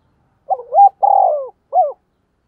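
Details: Decoy spotted dove's 'thúc gù' urging coo, one phrase in clean silence: short rising notes, a sustained throbbing coo that sinks at the end, and a lone downward final note.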